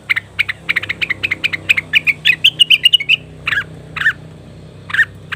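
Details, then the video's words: Leafbird lure for wild cucak wilis or rengganis birds: a fast run of dry ticking notes speeding into a rising buzzy trill, then slower spaced harsh chirps after a pause. "pancingan burung cucak wilis/rengganis dijamin langsung bunyi"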